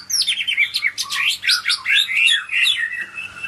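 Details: Medan white-rumped shama pouring out a dense, continuous warble of fast, tumbling whistles and trills that sweep both up and down, with a low steady hum in the background.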